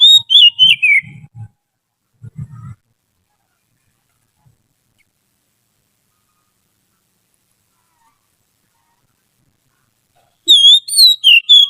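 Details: Trained white-rumped shama singing as a song tutor: short bursts of clear whistled notes that slide and fall, with a pause of several seconds before the next phrase; soft low thumps between phrases.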